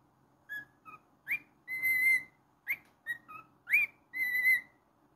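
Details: Cockatiel kept as a pet gives a whistled tune of quick rising slurs and sustained level notes, the pattern of swoop then long tone heard twice in a few seconds.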